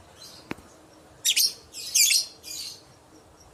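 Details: Lure call of a lovebird meant to make other lovebirds reply: a sharp click, then a run of four harsh, shrill screeches at irregular spacing, ending on a sudden high chirp.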